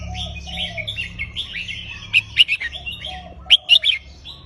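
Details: Counted-phrase song of a red-whiskered bulbul, sweet and looping: soft warbled notes give way to two groups of loud, clipped whistles, with constant background bird chatter and low hum.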